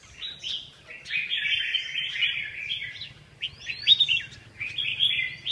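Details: A red-whiskered bulbul sings lively, slurred whistled phrases almost without pause, with a few sharp upward-flicked notes in between.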